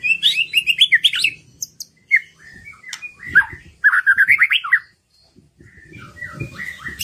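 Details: Lure song of a white-rumped shama meant to get hard-to-sing birds singing: fast chattering trills, rich warbled runs and whistled slurs, a brief silence, then softer varied notes with some background rustle.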